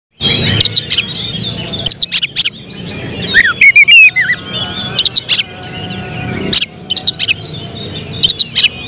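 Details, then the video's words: Oriental magpie-robin (kacer), a caged bird being prepared for singing contests, its emotion turning into rapid 'tembakan' bursts: varied high whistled phrases and sharp clicks repeated through the stretch over steady low background rumble. "Emosi berubah menjadi tembakan di menit menit genting, Kacer bakalan prospek lomba"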